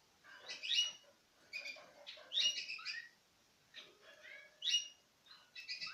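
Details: Hand-fed citril finches, pairs from 2016; bright high chirping notes in bunched bursts, some slurred downward, every second or so.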